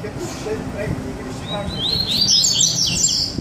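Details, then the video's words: One of two Double-collared Seedeaters in a baderna-style song delivers a rising run of high twittering, slurred notes that builds in the second half, over faint low-pitched background sound. "coleiro Sagat, baderna com 2 coleiros"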